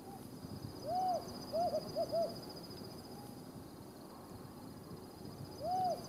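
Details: Desert Tawny Owl, one of a calling pair in a remote part of the Judean Desert, Israel: a long arched hoot, then a quicker triple of shorter hoots, and another long hoot after a pause, over steady background hiss.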